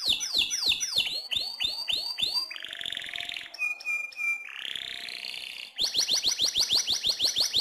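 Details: Lively canary masteran song: fast downward swoops, a buzzy roll, pure whistled notes held briefly, another rising buzz, then a quick run of repeated swooping notes.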